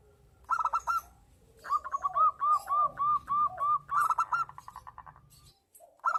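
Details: Local zebra dove in breeding condition singing actively, answering a female: strings of quick, arched cooing notes, about eight in a steady run, with brief rough lower notes between phrases and a faint low hum.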